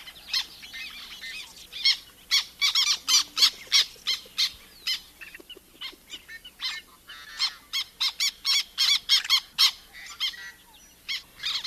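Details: Black terns, often heard as flocks arrive at a wetland to forage before moving on to another: harsh, squeaky squawks like a swallowed dog squeaky toy, given in irregular rapid bursts of clipped, high notes, several birds overlapping.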